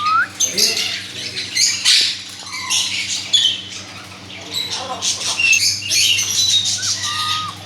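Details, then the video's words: Parrot producing rasping squawks and short shrill chirps in uneven bursts, plus one or two thin whistled notes, over a constant low hum. "parrot مَٹو ولایتی مِٹو توتا"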